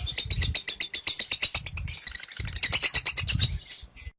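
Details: Lovebird bred for ngekek, the kekean long chattering song of roughly 30 seconds, head lifted. Quick shrill chirps in a rapid series, with some low background rumble, ending abruptly in silence.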